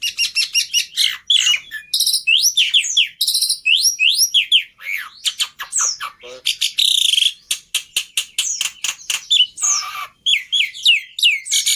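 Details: Jalak putih (black-winged myna) singing as a training model: energetic jumble of swooping whistles, clicks and scratchy notes, with a short burst of rapid ticks midway.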